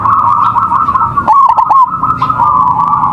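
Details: Local zebra doves in a lure recording meant to set other doves singing: a steady, overlapping band of cooing stays at one mid pitch, broken near the middle by a quick cluster of rolling, trilled notes.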